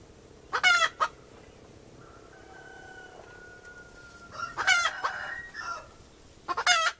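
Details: Female chicken calling in sharp, raspy cluck bursts, with a long quiet stretch in between holding a thin, steady tone, then a final loud cluck near the end.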